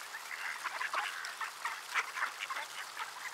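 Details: Many ducks calling in the cold on a December afternoon, 3:35 PM, at Sainte-Adele, Quebec, Canada, at -3°C; a dense, overlapping chorus of short, nasal quacks fills the whole stretch with no pauses.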